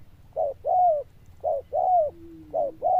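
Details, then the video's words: Zebra dove with a bell-like loud voice: three pairs of a short coo and a longer note that rises then falls, plus a faint low steady tone in the middle. "Đồng Chuông Lớn Tiếng, Nước Gù khá Tốt"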